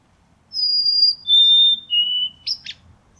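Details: White-throated sparrow, a North American bird, singing close up: three long, pure whistles stepping down in pitch, each held about half a second, followed by two brief sharp notes. Quiet background.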